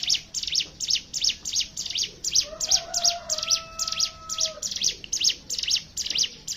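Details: Hill prinia song played as a lure to make other birds sing: an unbroken run of high, rapid twittering bursts, while a lower, steady whistled tone is held underneath in the middle of the sequence.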